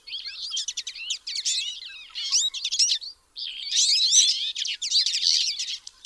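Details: High, chattering twitter of Twite in bursts of quick chirps and slurred notes, with a clear silent pause a little after three seconds before the chatter resumes.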